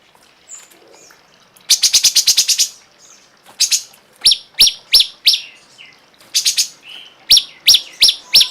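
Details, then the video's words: Cungkok masteran recording: a fast rattling run of about eight sharp notes, then a string of loud, spaced, high chirps repeated roughly every half second, with another rattle burst midway. "masteran burung cungkok"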